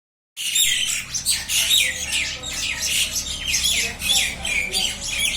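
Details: Common myna, locally called salika, fighting: continuous dense harsh squawks and screeches from several birds overlapping, with a low steady hum underneath.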